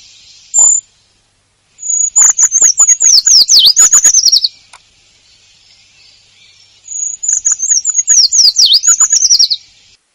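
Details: Eurasian treecreeper song from European and Jura birds: a brief high thin note, then two high-pitched phrases of rapid thin notes that fall and rise before ending in a quick descending flourish, each lasting about two and a half seconds.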